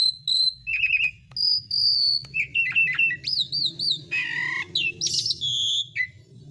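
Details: Asian pied starling song as a calling lure for silent birds: varied whistles, trilled wavering notes, harsh nasal bursts and squeaky chirps in quick succession, over steady low background noise.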